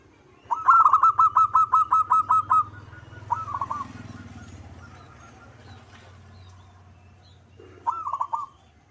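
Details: Zebra dove (local perkutut) in lively manggung singing. Around ten rapid, ringing coos open the song, followed by two short rolling phrases separated by a quieter gap with a low rumbling background.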